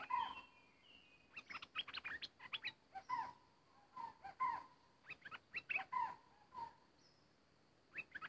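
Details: Bulbul kept as a decoy bird for trapping, with an uninvited intruder arriving; bursts of rapid chattering and slurred notes mixed with repeated clear mid-pitched whistles, steady faint background hum.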